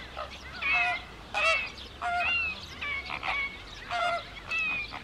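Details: Wild greater flamingos at day's end in the Camargue: a near bird gives loud, harsh honks in separate bursts roughly twice a second, each rich in stacked harmonics, while a distant flock murmurs underneath.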